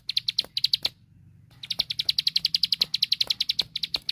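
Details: Plain prinia (ciblek sawah) song used for training caged birds: rapid, even series of sharp high chipping notes, about four per second, broken by a short pause before the fast run resumes.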